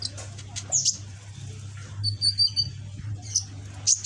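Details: Caged young red-backed sunbird, green phase, practising song: sharp high chirps, then a held, slightly wavering high whistled note near the middle, and further chirps at the end over a low hum.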